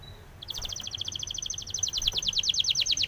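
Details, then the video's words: Spanish timbrado canary singing a training song: after a short faint tone, a fast, even trill of sharp high notes starts and runs steadily to the end, growing slightly louder. "SPANISH TIMBRADO SONG FOR TRAINING - canary training song"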